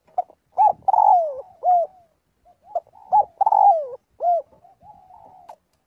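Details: A spotted dove calls to gather the flock during daily voice practice. It gives two strong phrases about two and a half seconds apart: clipped hoots, then a drawn-out, falling, burry coo, with faint soft cooing in the gaps.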